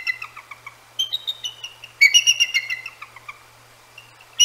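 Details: Nesting pair of Bald Eagles at the Decorah North nest, January night around 10 p.m., calling out at two hooting Great Horned Owls; high, thin, staccato chittering notes in quick uneven runs, with a louder burst of squeals midway.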